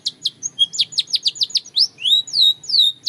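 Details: Belgian canary song with a string of quick, sharply falling chips roughly every fifth of a second, turning into longer drawn-out whistled slurs toward the end.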